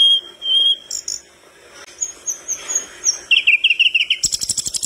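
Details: Flycatcher singing hard enough to set other birds responding gives a clear whistle, thin high notes, then a quick warbled trill before a loud rapid rattling burst.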